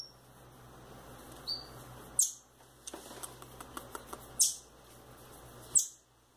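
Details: A pair of young rufous-bellied thrushes, female and male, loose indoors: a thin whistled note, then three shrill downward-sweeping squeaks spaced a second or two apart, with soft ticking and rustling between.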